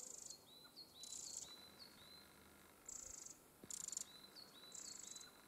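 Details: Recently fledged young Eurasian wrens with their family near the nest. Several harsh, high hissing bursts mix with brief, thin, slightly falling chirps. A single faint knock is heard midway.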